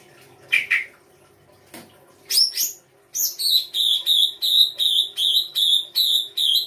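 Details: Songbird from Indonesian kicaumania songbird keeping, singing a full 'isian' song: a few scattered high chirps, then a steady run of about nine bright, buzzy, repeated notes, roughly two per second, over a faint low hum.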